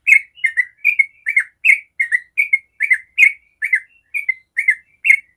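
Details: Yellow-vented bulbul giving its long 'ropel' song as a lure for other bulbuls: loud, liquid, bubbly phrases repeated at an even pace, roughly two per second, with clean silence between them.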